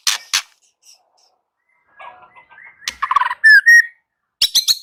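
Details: Varied song of a white-rumped shama: sharp clicks open it, then soft twittering, a quick rattled series, two loud pure whistles and a closing trio of harsh, bright notes.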